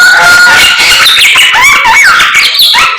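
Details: Constant morning song from a samyong, with long pure whistles sliding between pitches over scratchy chatter.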